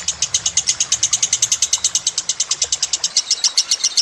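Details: Lovebird's rapid shrill trill on a songbird training track with gentle water sounds: crisp, high chips, around seven per second, continuous for four seconds, with a low rumble early on.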